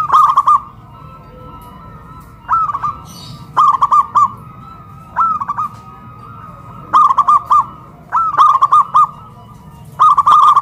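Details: Zebra doves, local birds kept caged and hoisted on a pole in Kuningan, West Java, Indonesia, singing loudly: repeated clusters of bubbling, evenly pitched coos, roughly one phrase every one to two seconds.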